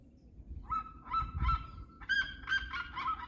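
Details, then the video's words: Red-legged seriema giving a rapid string of harsh yelping notes, each a short nasal bark in quick succession, with low rumbling noise beneath. "Como cantam as seriemas"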